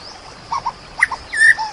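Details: White-rumped shama: a few short, low mellow notes, then a brighter, clear whistled phrase, over a steady soft hiss of rain sound.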